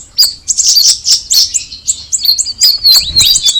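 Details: Straw-headed Bulbul, locally cucak rawis, opening with rich tumbling chirps, then a clean series of high slurred whistles delivered rapidly and rhythmically toward the close.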